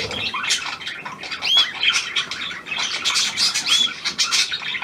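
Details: Australian pied budgerigar, hand-tame and newly arrived, kept indoors; uneven chatter of squawks, clicks and two clear whistled upslurs.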